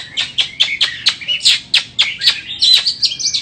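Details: White-rumped shama, a bird offered for sale, giving a rapid series of sharp, scratchy chirps repeated about every quarter second, ending in a high twittering burst.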